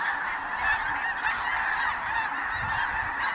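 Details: Spring-migrating snow geese resting and feeding with blues, Ross's geese and other waterfowl in the Dakotas; an unbroken, crowded chorus of yelping, nasal honks from a very large flock.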